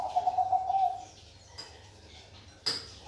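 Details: Zebra dove, Bangkok perkutut type, ending a rolling trilled coo lasting about a second. Two sharp clicks or taps follow in the quiet after it.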